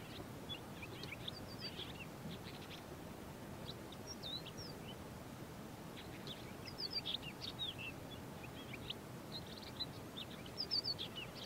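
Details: Large-billed lark (Galerida magnirostris) in the Karoo: loud, clear fluty song, then a softer song of fast, very accurate mimicry of local Karoo birds, in short bursts every few seconds over steady wind or background noise.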